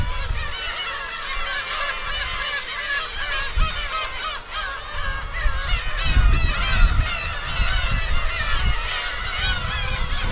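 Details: A dense chorus of Black-tailed gulls at their breeding colony on Kabushima island, Hachinohe, Japan, 2 June 2010: nasal mewing and laughing calls overlapping without pause, over a steady low rumble of wind and surf.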